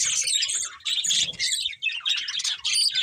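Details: Budgies singing while eating, bursts of rapid high chirps and warbles separated by short gaps, over faint low rumbling.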